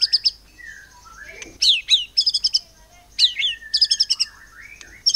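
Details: White-rumped shama in cililin-mimicking song, used to stir other birds to sing: clusters of quick high stuttered notes and steep downslurs, with soft lower whistled glides filling the gaps.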